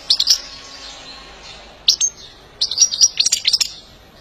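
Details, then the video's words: A European goldfinch gives bright, tinkling twitters: a short burst at the start, a single note, then a rapid run of liquid chirps before it ends. "saka kuşu kızıştırma ve ötüş eğitimi"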